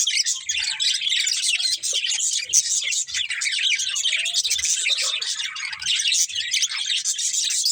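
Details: Budgerigars, a breeding pair, giving continuous busy twittering, high, buzzy chirps packed closely together without a break.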